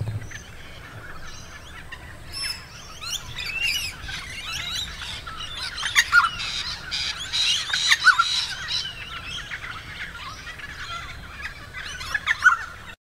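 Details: Noisy friarbirds calling at Spring Mountain in Logan, Queensland, on 26 September 2022: a chorus of harsh squawks and chattering notes building in the middle, with scattered chirps from other birds.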